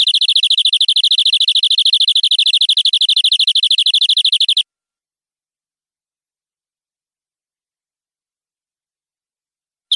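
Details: A canary sings, recorded as long tutoring song for young canaries. A very fast, almost buzzy high trill holds steady for about four and a half seconds, then silence, with one more note at the end.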